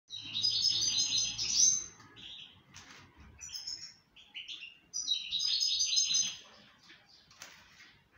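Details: Moroccan goldfinch singing in breeding season: bursts of rapid, bright twittering and tinkling notes with buzzy trills, about two seconds each, separated by quieter scattered chirps and a pause, then a second lively burst.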